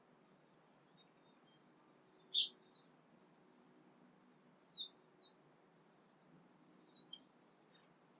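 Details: Tūī singing during an early morning sunrise in the south Pacific: scattered short, high whistled and chirped notes, some clear and ringing, at irregular intervals, with other birds' songs mixed in over a quiet background.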